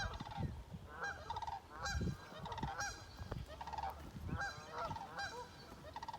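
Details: Sandhill crane, the first of the year for the recordist, heard and seen in Ontario, giving loud rolling, trilled calls in repeated bursts about every second, with a man speaking briefly afterward.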